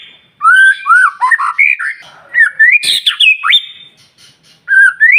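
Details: White-rumped shama giving an intense stimulation song meant to provoke other shamas into singing: loud clear whistles rising and falling, then rapid chattering notes and a sharp burst, in phrases separated by short pauses.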